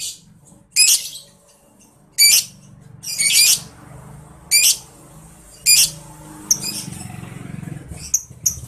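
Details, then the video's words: Lovebird giving ngetik ticking song for training contest birds: loud, harsh, rattling bursts of high chatter roughly once a second, separated by short pauses, over a low room rumble. "NGETIK LOVEBIRD NGEKEK GACOR"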